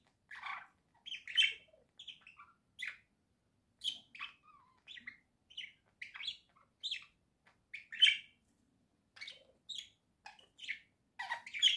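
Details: Pet budgerigar flock indoors singing a busy warble of short chirps, clicks and whistled notes in quick uneven bursts, with a few louder high peaks.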